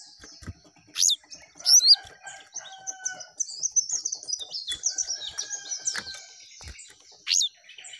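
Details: Jongkangan singing actively with rising and falling phrases; high thin twittering and quick chirps run continuously, broken by a few louder sharp squeaks and soft clicking knocks in the background.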